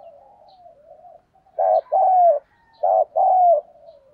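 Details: Cooing decoy spotted dove luring wild doves, 'thổ' voice style: faint wavering low coos, then two strong phrases, each a quick stuttered note followed by a longer sliding coo.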